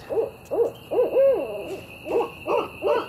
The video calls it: Barred owl calling